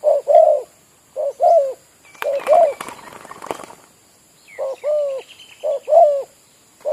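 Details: Village spotted dove used as a decoy bird, cooing steadily in short throaty phrases of two or three notes, about one phrase a second. A brief rustling, knocking noise interrupts the calls near the middle.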